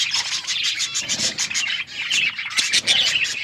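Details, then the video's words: Several budgerigars, Australian parrots, chirping as they eat corn; dense high chattering with quick repeated chirp bursts and warbled notes. "Australian parrots eating corn birds chirping sounds"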